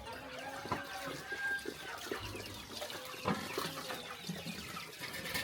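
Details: Flock of chickens at morning feeding on a countryside farm, a chorus of short clucks and drawn-out tonal calls overlapping, with occasional knocks and clatter.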